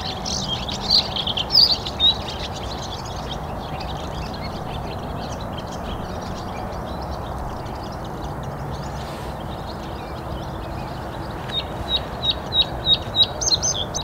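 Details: Male Bluethroat singing from a willow on 15 April 2021, recorded with a Canon EOS R5: a few scattered high notes early, then a run of ringing repeated notes near the end, over steady broad background noise.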